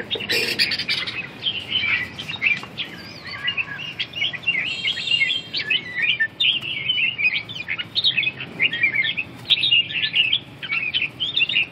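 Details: Red-whiskered bulbul, billed as a super ballet dancer, delivering a dense stream of short whistled and chirpy notes in quick, tumbling phrases with brief pauses over about twelve seconds, against a faint background hiss.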